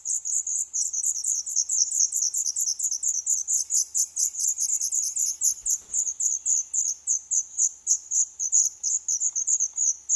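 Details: Black redstart chicks begging in their nest in an old furnace pipe of a building set for demolition, Poland, day 11: a continuous, shrill, high chorus of rapid squeaky notes, about four per second, with one soft knock.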